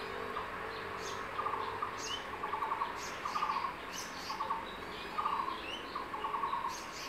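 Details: Crested goshawk male near the nest calling his mate to take a freshly caught tree lizard; quick stuttering kek-like bursts come in a loose series of six, over insect hiss and scattered high twitters of small birds.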